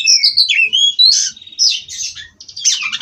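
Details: Captive Oriental magpie-robin (kacer) from a breeding aviary singing in 'ngerol' style, a non-stop rolling song: sweet whistled notes sliding down, then bursts of scratchy, buzzy chatter, with brief pauses.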